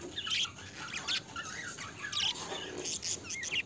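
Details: Pet budgerigars giving short, scratchy chirps and squeaky warbles in quick irregular bursts, with brief pauses between the rising and falling notes and a faint background hiss.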